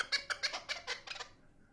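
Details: Chukar partridge uttering a short burst of about eight harsh, clipped chuck notes in rapid succession, fading out after just over a second.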